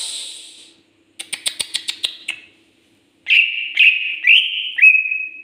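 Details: Indonesian cucak ijo, the greater green leafbird, producing a fast series of sharp ticking clicks followed by rolling whistled notes that end on a bright, sustained tone.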